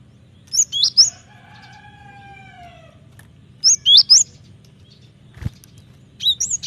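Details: Cinereous tit in full song, a training lure for cage birds: brief phrases of sharp, high, slurred whistles, broken by a long, steady, lower droning tone. A single click sounds near the end.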